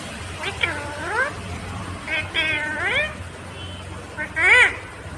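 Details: Green Indian ringneck parakeet talking: three drawn-out, harmonic, voice-like phrases, each sliding upward, spaced across five seconds, with a faint low hum underneath.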